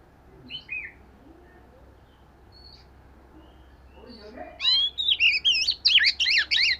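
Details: Oriental magpie-robin in a voice-training session: a few soft, scattered whistles at first, then a sustained run of bright, rapidly looping whistled notes filling the last two seconds.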